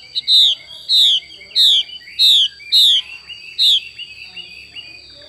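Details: Female Chinese hwamei repeating its xùy call: six loud, clear whistles, each a quick downward slur, spaced at an even pace of about two per second, with a thin steady tone in the background.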